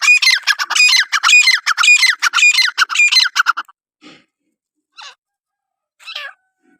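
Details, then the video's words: A francolin (Iranian teetar) gives a loud, harsh, grating call of rapidly repeated notes for nearly four seconds, followed by a few faint, scattered notes. "irani teetr ki awaz"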